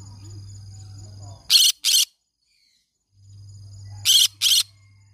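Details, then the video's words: Green-cheeked conure calling in two paired bursts. Each pair is two short, harsh, rasping screeches in quick succession, separated by a pause of about two and a half seconds, with a low electrical hum between them. "green cheek conure parrot sounds"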